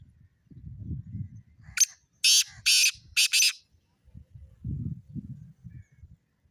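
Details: Black francolin giving a harsh call of four rapid grating bursts, the last two run together, with low rumbling sounds before and after.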